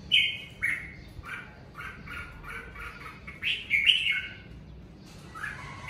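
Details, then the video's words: Home-kept red-whiskered bulbul delivering natural 'ché' song during the covid period, short sweet whistled motifs repeated roughly every half second, building to a louder tumbling phrase near four seconds. "Mào ché tự nhiên tại nhà mùa covi"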